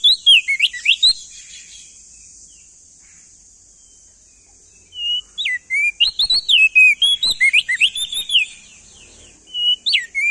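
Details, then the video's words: Loud, clear song of a male crested white-eye from East Nusa Tenggara: bursts of fast, looping whistled notes separated by a few seconds of quiet, with a steady shrill hiss underneath throughout. "Masteran Burung Opior Jambul Muda Biar Cepat Gacor Rajin Bunyi Siang Malam"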